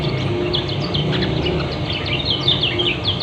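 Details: Lombok white-eye, locally kecial kuning, giving dense fast ngeriwik twitter: crowded high chirps and slurred notes throughout, with a low humming background.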